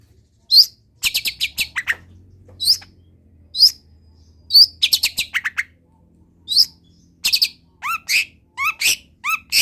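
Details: Long-tailed shrike singing a lively song rich in mimicked wild-bird phrases: high chirps and quick trills in bursts, some falling slurred notes, then a run of rising whistled notes near the end, with a faint low hum underneath.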